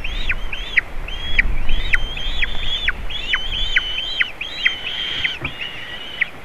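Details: White-tailed eagles at a nest in Latvia on 27 June 2019, a juvenile visiting eaglets; repeated high yelping calls, each a sharp rising-then-falling note, several per second in an irregular series over low background rumble.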